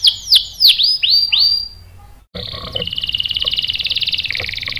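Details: Canary, a caged bird presented as singing to provoke a reply, gives a series of bright descending whistled sweeps, then a pause and a fast buzzy trill.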